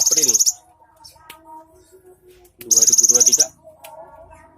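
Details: Cinereous tit with a rich learned 'isian' song, 3 April 2023: two bursts of very rapid, buzzy high trilling, the second nearly a second long, with faint low tones in the pauses.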